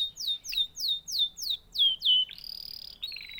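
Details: Canary chirping: six loud descending whistled notes about every third of a second, then a sustained buzzy trill and a lower rolling phrase.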